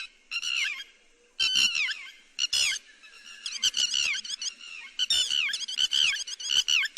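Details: Yellow-wattled lapwing lure call used in net trapping: excited, overlapping notes that slide downward, in clustered bursts with brief pauses and some background rustling.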